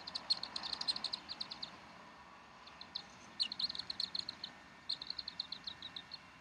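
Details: At the Decorah nest, 18 April 2012 at 10:30 am, bald eagle parents feed their chicks while thin, high piping notes run in rapid chattering strings, several bursts with brief pauses, steady faint hiss beneath.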